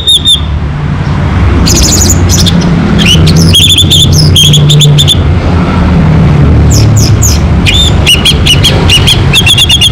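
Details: A local Orange-headed thrush in full song delivers rich, rapid whistled phrases, repeated in quick clusters with sweeping and trilled notes, over a steady deep rumble like traffic.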